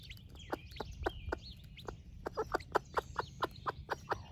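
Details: Splash laced red wyandotte broody hen feeding her chicks at breakfast, giving quick repeated low clucks that speed up and grow louder toward the end, with thin chick peeps above and a low background rumble.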